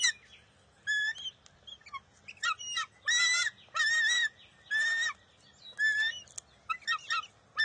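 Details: Bald eaglet at the NCTC nest on June 23, 2021, squabbling with its mother over a fish: bursts of harsh, harmonic squealing notes, some short and some drawn out, given in uneven runs with brief silences between.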